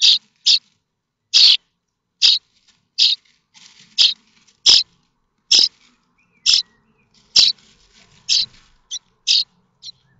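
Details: Young common starlings in a nest at Théding, France, 7 May 2024, begging for food; irregular string of short scratchy rasps, some close pairs, plus soft shuffling in the nest.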